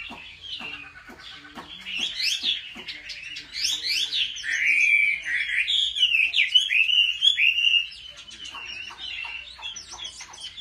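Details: Chinese hwamei kept at home and trained for singing contests. It delivers a rich run of swooping, sliding whistles, high and rapid, then fades into softer chattering notes near the end.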